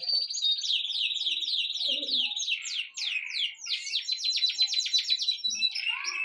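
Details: High, quick chirps from birds in a steady rapid series, each note a short sweeping tick. The chatter briefly thins midway, then resumes as a fast, dense run.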